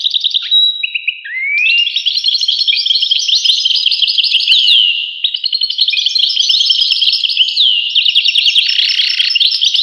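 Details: European goldfinch delivering a long sustained song: opening whistled notes and a rising slur, then nonstop tinkling twitters with scattered buzzy trills.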